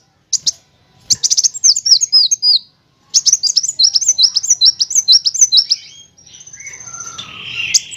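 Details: Van Hasselt's sunbird training song with chattering, shooting and rolling elements: bursts of rapid high-pitched twittering notes in two long runs, broken by pauses, ending in softer scratchy sounds.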